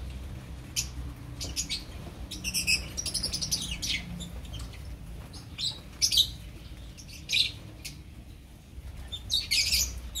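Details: Opaline lovebirds in a colony, sparse sharp high chirps and short squeaky bursts scattered irregularly, with quieter stretches between and a steady low hum in the background.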